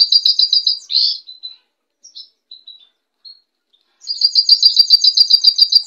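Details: White European goldfinch singing: rapid series of high, evenly repeated twittering notes about four per second, a brief buzzy note and scattered chips during a pause, then the fast repeated twitter resumes, clean with no background.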